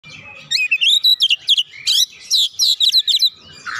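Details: Oriental magpie-robin singing hard and showing off its repertoire, a lure recording to trigger other magpie-robins: a rapid string of bright whistled and trilled notes, rising and falling, packed into about three seconds with short gaps.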